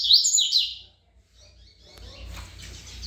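Double-collared seedeater gives a quick, high, buzzy burst of twittering notes lasting under a second, then falls quiet over faint rustling and a low hum.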